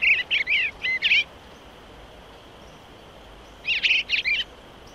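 Eastern Bluebird singing two soft, warbled phrases of a few quick notes each, about three seconds apart, over a faint steady hiss.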